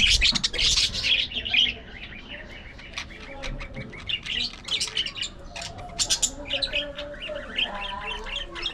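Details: Aviary flock of budgerigars: a burst of shrill chirps, then scattered squawks and warbles that return in busy clusters, with some lower nasal notes mixed in.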